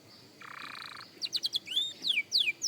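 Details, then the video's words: Young canary practising, starting with a low buzzy churring note, then a few quick chips and loud downward-slurred whistles. "Young Canary Singing Practice – Surprisingly Good for a Beginner!"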